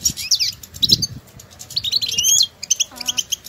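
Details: European goldfinches in the wild exchanging stimulating calls; sweeping twittery notes and rapid chirp runs, with a short lower nasal call near the end and faint background rumble.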